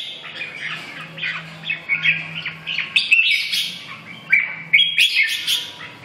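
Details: Red-whiskered bulbul singing: short bright whistled and warbled phrases, some sliding, in bursts separated by brief pauses, with a faint low steady hum underneath.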